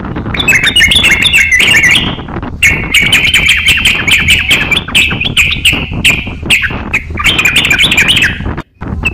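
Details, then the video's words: Crocok-cokan song used as training material for other songbirds: dense, energetic warbling with rapid rising and falling notes, a brief gap near two seconds and a short silence late on, then more busy chatter. "crokcokan gacor siap jadikan masteran kicauan"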